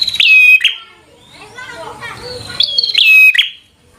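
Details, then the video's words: Bar-winged prinia used to provoke a rival: two bursts of loud, high, sharp chirps with a falling whistled tail, separated by a quieter stretch of softer warbling and noise. "Suara Burung prenjak | Prenjak Gacor Full FIGHTER Bikin Prenjak Jadi Emosi Lawan"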